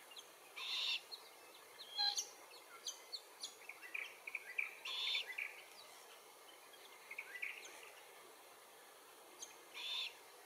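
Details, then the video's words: Glossy Black-Cockatoos, Calyptorhynchus lathami lathami, in Capertee Valley at feed trees bearing Allocasuarina verticillata seeds. Short harsh, wheezy harmonic calls are repeated several times over ten seconds, with scattered soft clicks and ticks between them. "Glossy Black-Cockatoos in Capertee Valley - Includes calls and feed tree identification"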